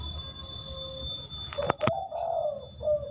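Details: Spotted dove with the three-note "kuk" call, said to be a rare bird: a soft, low, slightly rising coo followed by a short final note, preceded by two sharp clicks over a faint steady hum.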